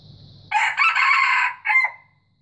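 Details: Loud, rough crowing of a white junglefowl, roughly one and a half seconds with a short detached final syllable. It is preceded by faint low rumbling and a thin constant high tone.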